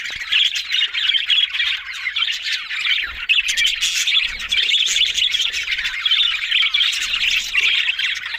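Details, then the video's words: Flock chatter of budgerigars, Australian parrots: continuous buzzy warbling and squawky chirps layered over one another for the whole stretch, with brief clicks and a faint low rumble in the background. "Beautiful Talking Budgies Australian Parrot Sounds"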